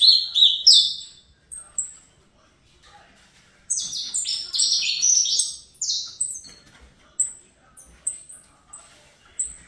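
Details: Young captive-bred saffron finch singing in the fibra style: bright, buzzy phrases sliding downward, a loud burst at the start, a pause, then a rapid tumbling run followed by short high clipped notes.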